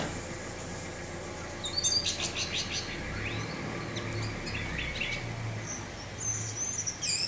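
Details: Teler singing from an orange-headed thrush over wind sound: a burst of rapid high chipping notes, scattered short slurred whistles, then quieter twittering and a final sharp flourish above a constant low hum.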